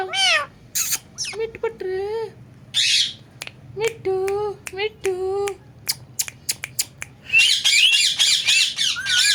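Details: Talking and dancing pet parrot producing a rapid run of speech-like syllables, some nasal and bending, some buzzy and squawky, mixed with clicks, and closing in a harsh, noisy chattering burst.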